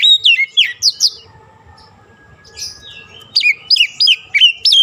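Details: Lure song of an Oriental magpie-robin, used to get a stressed bird that stopped singing to sing again: quick bright whistles, a soft murmuring pause, then a fast burst of sharply rising and falling notes.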